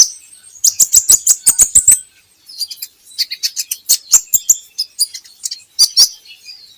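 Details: Brown-throated sunbird played to get birds singing: an opening run of about ten rapid high chirps, then looser twittering phrases and scattered sharp notes.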